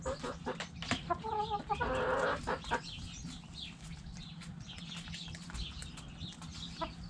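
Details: Backyard chickens in a coop: scattered short clucks and rustling, then a brief harmonic drawn-out call near the middle, over a steady low background hum.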